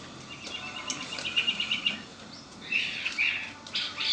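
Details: Red-winged blackbird, a household pet, gives a run of short evenly spaced ticking notes, then a brief buzzy trill and a few sharp high chirps.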